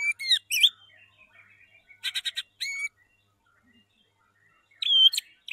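White-rumped shama singing short bursts of rich whistles, slurred notes and rapid stuttered chatters, with brief pauses between phrases.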